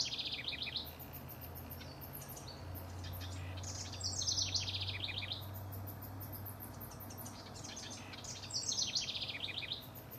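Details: House wrens singing as rivals, June 2015: rapid, bubbly descending trills come in three bouts about four seconds apart, over a steady low hum.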